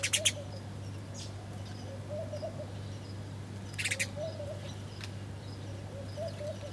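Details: Wild birds chirping while feeding at breakfast time: quiet, scattered sharp ticks and short wavering mid-pitched warbles, some cooing-like notes, over a steady low hum.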